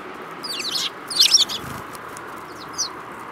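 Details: Sparrows twittering, rapid high chirps clustered in two short bursts, then a lone chirp, over faint background hiss.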